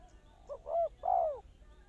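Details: Spotted dove calling as a lure in bird trapping: a brief soft coo, then two deeper, fuller rounded coos, the last drawn out and slightly falling, with a quiet background.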